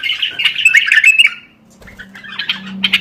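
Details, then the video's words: Bulbul song played to prompt other bulbuls into singing: a continuous rasping, chattering phrase for over a second, a short pause with a low hum, then scattered scratchy notes. "تغريد تحفيزي للبلابل القافلة ترديد صوت البلبل."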